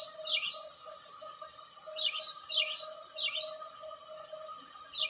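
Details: Repeated chirping of a house sparrow: strong, slightly rasping notes, several close together and then a pause, with a steady background hum.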